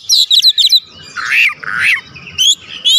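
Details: Oriental magpie-robin song used as a lure to make other birds sing: bursts of bright, rapid whistled notes alternating with lower buzzy phrases, then sharp rising whistles, loud and varied throughout.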